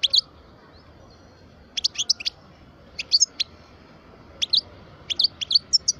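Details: European goldfinch of the parva type, a twelve-year-old cage bird, singing in short bursts of sharp, high liquid twitters separated by pauses of about a second, ending in a quicker series of bright notes.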